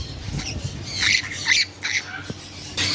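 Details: African grey parrots letting out a few short, rasping squawks in quick bursts, some with a brief tonal edge, separated by quieter gaps, over a faint steady hum.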